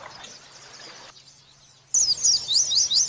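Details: Oriental white-eye training recording in the wit-wit sambung kunti style, meant to be played consistently to captive birds. Faint hiss, then an abrupt cut to a loud, high, scratchy twittering trill of rapid zigzag notes.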